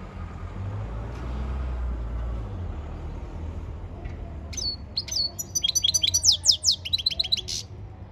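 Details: After several seconds of low rumbling background, a European goldfinch bursts into its training song, a rapid series of tinkling, sweeping chirps over the last three seconds.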